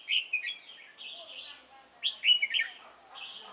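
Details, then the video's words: Chùa Hương trapping session on 28 November 2017 with a decoy red-whiskered bulbul. Two bright, rollicking phrases of quick whistled chirps, each trailing into a softer level warble. "Bẫy chào mào Chùa hương chơi mau mỏ"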